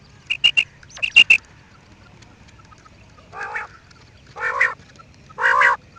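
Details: Quail sound opening with a few thin high piping notes, followed by three spaced, raspy, nasal croaks that grow louder.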